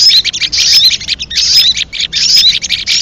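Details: High, busy chatter from a leafbird used to lure birds into traps. Quick sharp notes run in short bursts, each with a bright whistled slur, separated by tiny pauses.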